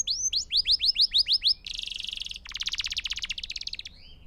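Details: Canary song used for training young singers: a series of quick rising whistled notes, then a dense buzzy trill and a long rapid rolling trill ending in a soft rising whistle.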